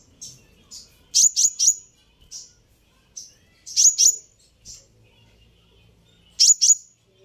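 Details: Provocation call of a sunbird: a cluster of three sharp high chirps, scattered thin twittering notes, a doubled chirp, more soft notes and a final pair of chirps, over quiet background.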